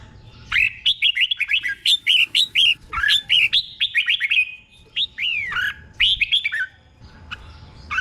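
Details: Caged Red-whiskered bulbul tutor song from Thailand, sung in doubled pairs: long continuous series of quick, clear whistled notes in bouncing rhythm, several phrases over eight seconds, ending in downslurred whistles and short chirps.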